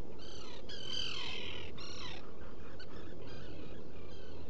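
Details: In a nesting burrow on Seal Island NWR, Maine, a black guillemot gives harsh, strained squealing notes, two long bursts then fading softer ones; burrow cam, early morning, 14 June 2018, continuous low hum beneath.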